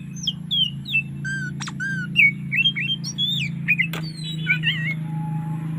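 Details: Relaxed 'ngeplong' song variations of an Oriental magpie-robin in the afternoon: mixed whistles, a few flat held tones, fast trills and twisting notes, with one sharp click and a constant low hum beneath.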